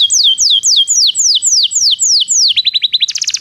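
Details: Song of a Belgian canary for training canaries that do not sing: a long series of high downward-sliding whistles at a steady pace, then a quicker run of short notes and a fast high trill.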